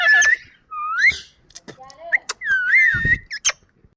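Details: Indian ringneck parakeet calling: clear whistled notes that rise and waver, some gliding upward in short sweeps, broken by sharp clicks and brief buzzy bursts, with pauses between phrases.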